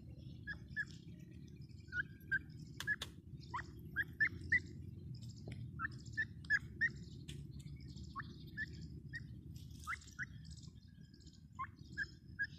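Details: Grey francolin (teetar) calling: a long run of short, rising whistled notes, irregularly spaced and many per second at times, over a steady low rumble with faint higher chirps.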